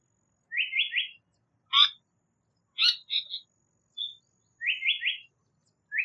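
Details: Japanese paradise flycatcher (sankōchō) in Japan gives a quick triple of buzzy mid-pitched notes, heard locally as "tsuki hi hoshi" (moon, sun, stars) then "hoi hoi hoi", followed by scattered harsher chips and a thin whistle; the triple returns four seconds later.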